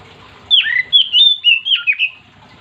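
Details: A chatty Oriental magpie-robin gives a brief whistled phrase of about six sliding notes, rich and varied in pitch, sung to coax other magpie-robins into song.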